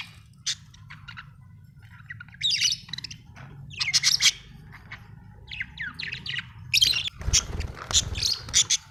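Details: Budgerigar chirps and warbles in scattered short bursts, high and scratchy, over a steady low hum, with a brief louder rustle near the end.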